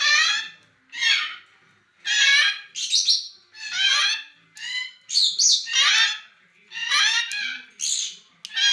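A grey parrot gives harsh, raspy squawks in quick bursts, about one each second, some with a rough whistled edge. No other sounds are heard.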